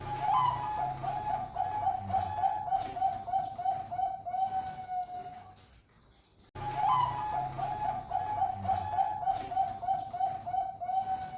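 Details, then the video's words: Caged Bangkok-line zebra dove from Sidoarjo, East Java, kept for song competition and described as stable: a sustained trilled coo held at one mid pitch with fast pulsing and faint low hums, breaking off briefly before repeating. "Burung perkutut bangkok stabil kuwalitas lomba"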